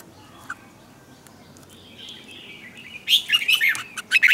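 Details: Red-whiskered bulbul morning song for training birds, with tight twisting double notes: a quiet start with a faint thin tone, then a burst of sharp, rapid, warbled notes in the last second and a half.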